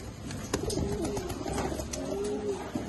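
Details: Red, black, yellow and silver Mukhi domestic pigeons (Columba livia domestica) giving soft, low, drawn-out coos that rise and fall, with sharp clicks and taps in the background.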